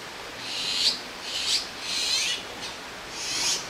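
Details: Young Azure-winged magpies that have outgrown the nest wait side by side on a branch in Jirisan National Park for food from a parent; loud, high, buzzy hissing calls repeated roughly every half second, some smeared and drawn out.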